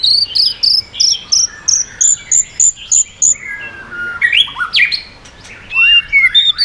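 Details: White-rumped shama in its swiftlet-ringing song to provoke others: a steady series of high piping notes about three per second, then swooping whistled phrases and chattering slurs.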